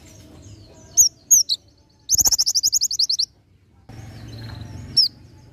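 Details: Oriental white-eye, ngalas nembak song style used as tutor material: a few sharp high chirps, then a rapid pulsing trill of roughly a dozen notes, a burst of soft background noise, and one final chirp.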